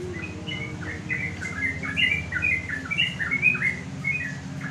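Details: Sooty-headed bulbul singing in the afternoon to call rivals, placed on a house terrace so other bulbuls answer; a run of short bubbly whistled notes near the middle pitch, several phrases in quick succession over a steady low hum.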